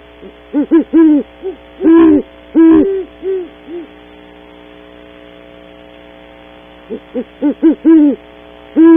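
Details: At Audubon Starr Ranch in California a great horned owl pair visits a cavity in early morning, caught on camera: bursts of deep hoots in stuttering clusters, a long quiet gap, then another rapid series closing with a long hoot.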